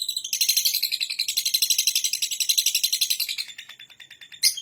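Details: Lovebird giving a long ngekek-style chatter: a rapid, high, buzzy stream of pulses at roughly four per second, steady for most of the clip, with a short sharp burst near the end.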